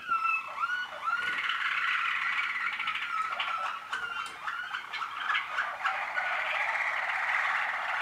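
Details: Waterslager canary, a 2013 young novice, in continuous song: rising glides give way to dense, rapid rolling trills and bubbling passages that run without pause for eight seconds.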